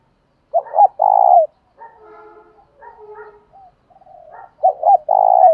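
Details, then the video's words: Spotted dove, male and female, giving fight-provoking and calling coos: a phrase of two short coos and a long trilled coo, a stretch of quieter layered murmuring coos, then the same loud phrase again. "chim cu gáy Thúc Đấu + Gáy Gọi"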